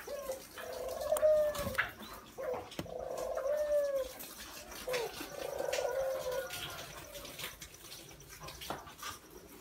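Spotted dove giving soft, low, throaty coos in three phrases about two seconds apart, over steady rain and gusting wind.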